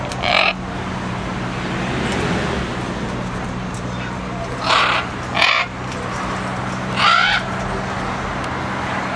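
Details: A green-winged macaw at a zoo in Trinidad and Tobago gives four loud, harsh, raspy squawks at uneven intervals over a steady low hum and a faint murmur of voices.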